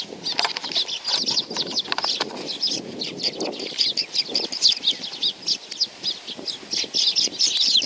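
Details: Sparrows arriving for food at a Tenmangu shrine, Nakanoshima, on 7 June 2020; busy chatter of sharp high chirps from several birds alongside frequent fluttering wingbeats.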